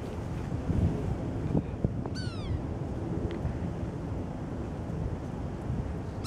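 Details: Sapsucker, possibly a young woodpecker, calling vocally at a cold, windy daybreak: one nasal, downslurred, cat-like mew with a second call starting at the end, over steady low rumbling noise.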